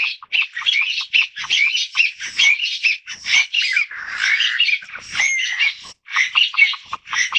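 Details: A family group of Taiwan bamboo partridges (Bambusicola sonorivox), a Taiwan endemic, in a harsh, loud chorus of overlapping squawking and chattering notes, several birds calling almost nonstop with brief pauses.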